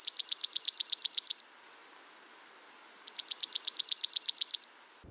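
Dark-eyed Junco singing two fast, even trills of high chipping notes, about ten per second, each trill lasting under two seconds with a pause between.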